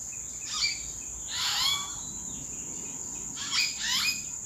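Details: In April, wild common hill mynas call from the treetops: a few bright whistled and rasping notes in short clusters, set against a noisy background and a constant high-pitched drone.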